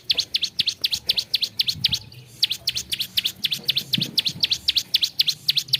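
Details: Ciblek sawah, the bar-winged prinia, delivering a gacor song variation: brisk high twin-stroke chips about four each second, a short gap after two seconds, then an unbroken run to the end.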